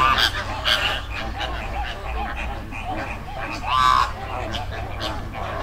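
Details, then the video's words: Flock of flamingos in a river in the Dominican Republic, giving dense overlapping honking calls, some louder bursts rising above the babble, over a steady low rumble. "Sound Effect Of Flamingo Flock"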